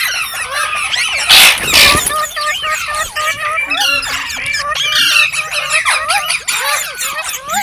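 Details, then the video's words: Green parrots chattering with rapid overlapping chirps and looped whistles, plus a loud harsh rasping burst early on, followed by steady busy squeaking. "Beautiful Green Parrots Talking | Funny Parrot Sounds"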